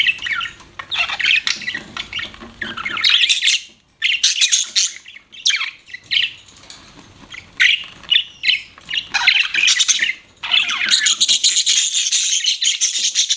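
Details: Pet budgerigar chirping: bursts of harsh, scratchy chatter and squawks, 2–8k, in irregular phrases with short pauses, broken by a near-silent gap around four seconds; indoors.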